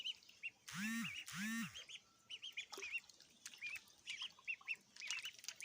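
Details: Baby ducks eating food; two loud, drawn-out honking calls open the scene, followed by many high, thin duckling peeps amid clicking and dabbling noises.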